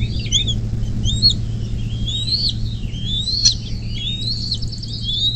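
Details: Bald eagle at its nest on a nest cam along the Little Miami River in southwest Ohio, USA, near South Lebanon, on 24 May 2024 at 10:12. Thin, high chirps and whistled rising and falling notes, ending in a rapid chittering trill, over a steady low hum.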